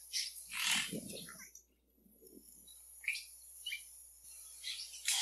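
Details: Yellow-rumped cacique song: a varied run of short, loud, buzzy and whistled notes with harsh bursts, some phrases dropping in pitch, separated by brief pauses; low rumbling murmurs sound early on.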